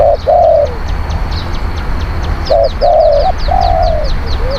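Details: Spotted dove cooing for luring wild birds: long level coos and double notes in two bursts, while another bird gives a rapid series of high thin chirps in the background.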